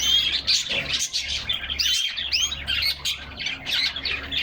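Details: Group of canaries in their cage in summer sunshine, captured by a fixed in-cage camera; loud, lively warbling with bursts of rapid chirps and curved whistled slurs, several birds singing at once.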